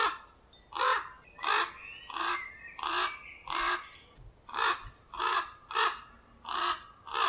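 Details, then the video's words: Common ravens defending their nest give harsh, rasping calls, about ten in seven seconds at a steady, insistent pace, against a quiet background. "Ravens defend the nest/Raben verteidigen das Nest/Kruki bronią gniazda"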